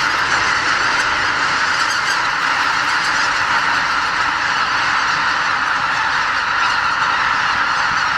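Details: Huge flock of greater white-fronted geese departing their night roost before sunrise at Lake Miyajimanuma, Bibai, Hokkaido, during spring migration stopover; steady, massed honking chorus continuing unbroken, individual calls blurred into a dense roar.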